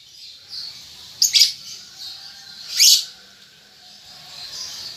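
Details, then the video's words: Young lovebird, a juvenile learning the ngetik and ngekek chatter styles: a steady high, hissy chattering band with two sharp, louder shrill chirps about one and a half seconds apart, then the chatter resumes softly. "Lovebird Paud Baby Balibu Muda Belajar Ngetik Ngekek"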